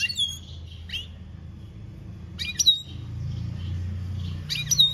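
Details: European goldfinch singing campero-style, 2021: sparse clusters of sharp, high chirps and slurred whistles, separated by pauses of one to two seconds, with low rumbling background noise.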